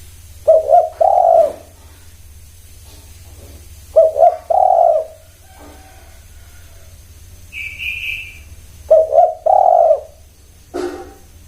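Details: Spotted dove repeating its coo phrase three times, about every four seconds, each being two quick throaty notes then a longer rounded coo; a brief high whistle sounds between phrases, with a steady low hum behind.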